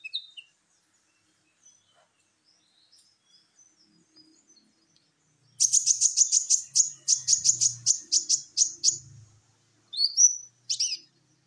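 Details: Champion sunbird (kolibri ninja) used as a lure to get other birds singing: scattered soft high notes, then a fast, buzzy series of very high chirps repeated for about four seconds, and two short rising whistles near the end.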